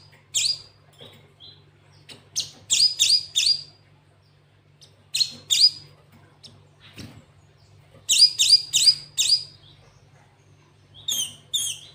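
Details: Cinereous tit, known locally as gelatik watu, singing with a full canary-style fill: bursts of short, sharp, descending chirps in quick clusters separated by pauses, over a faint low hum.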